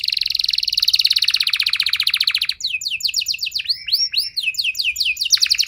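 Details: Domestic canary song for luring other canaries into singing: a long fast rolling trill for about two and a half seconds, then a run of bright looping up-and-down whistled notes.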